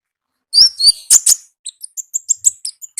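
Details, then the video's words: Konin singing loud "gacor ngalas" song: a few strong, slurred high whistles, then a rapid run of short thin chirps at around four per second. "AUDIO KONIN GACOR NGALAS Suara Asli Alam Liar"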